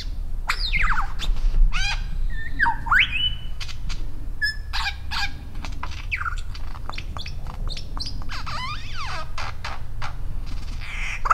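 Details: A lyrebird at Dorrigo National Park showing off to another bird on a log pours out a rapid, varied medley of ringing whistles, sharp sweeps, clicks and chattering phrases over a steady low wind rumble.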